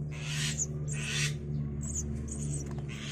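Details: Javan myna chicks, five days old, being fed grasshoppers and caterpillars by both parents in turn at a nest box; loud raspy hissing bursts, about three in three seconds, over a constant low mechanical hum.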